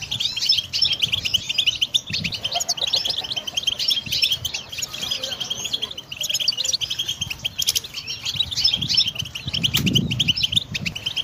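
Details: Training recording of goldfinch song: unbroken high twittering and liquid chirps that rise and fall throughout, with a short low thud near the end.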